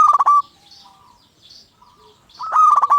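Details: Local zebra dove cooing as a lure to trigger song in other zebra doves: a loud rapid rolling coo opens, a quiet stretch with faint notes follows, then another loud stuttered, trilled coo phrase.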